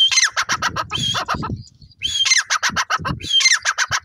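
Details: Francolin calling almost without pause: whistled notes leading into rapid harsh pulse series, repeated several times over low background rumble.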